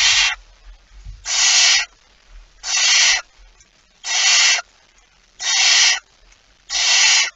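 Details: Barn owl at a nest with prey, recorded on 23 September 2019: loud broadband rasping hisses about half a second to a second long, repeated roughly every one and a half seconds, six in a row, with faint low rumbling between.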